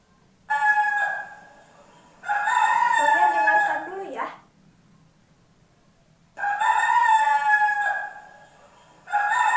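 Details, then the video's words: Rooster (male chicken), a bird that likes to crow in the morning, giving loud harmonic crows: a long drawn-out crow with a wavering, falling tail, then more crows at intervals of about four seconds, with quiet room noise between them. "Begitu ya suara kucing ternyata. Sekarang coba ya tebak ini suara apa? suara hewan ayam jantan. Bagaimana gambar ayam"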